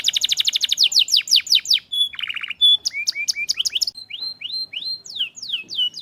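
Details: Canary song to stimulate lazy canaries: a fast rolled trill, a thin whistle and a low buzzy rattle, then a run of rising notes and drawn-out arched whistles spaced about half a second apart.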